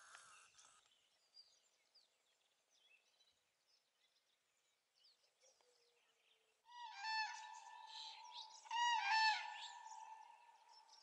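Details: Common cranes at dawn, 3 April 2016. High, thin small-bird chirps fill the first half, then cranes break in with loud, harsh, rolling trumpeted calls in two strong bursts that overlap one another.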